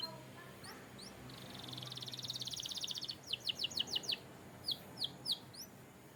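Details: Canary singing a training song: a steady buzzy trill of rapid pulses, then a row of loud, sharp, upward-sweeping chirps repeated about every quarter second, with a few high slurred notes at the start.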